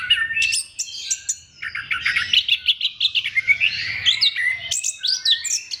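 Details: Energetic orange-headed thrush song used to coax other thrushes into singing: a long, rapid rattle of varied chirps and whistled notes, dense through the middle, ending in sharp high flicks.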